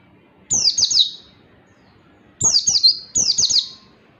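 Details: Oriental white-eye singing, used as a tutor recording for training other white-eyes: high, thin twittering phrases of rapid descending notes, three short bursts with quiet pauses between.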